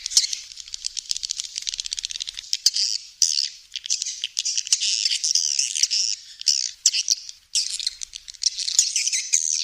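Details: Continuous high-pitched twittering of swiftlets, chattering and buzzy, broken by scattered sharp clicks and short pauses throughout.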